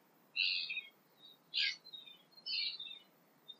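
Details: Tūī singing at early-morning sunrise in New Zealand: three bright, warbling phrases spaced about a second apart, each a quick tumble of high, clear notes, with a short faint note near the end over a quiet background.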